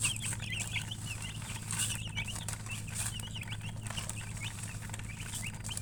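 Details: Chicken chicks chirping, a busy stream of short sharp peeps with brief hissy noise bursts between them, over a persistent low electrical-sounding hum.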